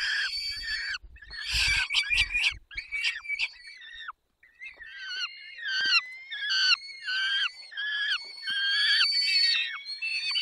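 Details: Peregrine falcons at feeding time in the Barycz Valley, Poland, on 20 May 2021 at 10:22. Rapid series of harsh, screechy, harmonic calls, some falling at the end, tumbling over each other with short gaps.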